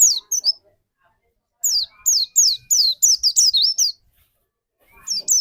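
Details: White-eye used as a lure to prompt another bird's song gives short clusters of sharp high downslurred chirps, a long gap, then a quick run of whistled notes and a faint steady tone.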